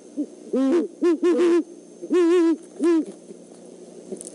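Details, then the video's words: A male and female great horned owl pair, visiting the Decorah eagle nest overnight on 17 December 2014, hoot a deep, soft series of five notes, the middle ones close together, with faint background hiss. "GHO Pair Visit Again"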